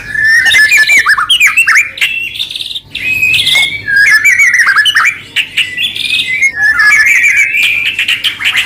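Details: White-rumped shama singing energetically, used as a lure to prompt other shamas to sing and provoke them into answering: a continuous, varied stream of rich whistled phrases, slurred notes and rapid trills with barely a pause.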